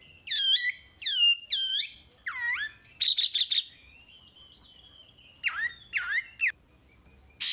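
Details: Chinese hwamei in energetic full song, used to draw untrained hwamei into singing: three ringing downslurred notes, a lower slurred note, a rapid four-note burst, a soft wavering whistle, then more sharp slurred notes over a quiet background.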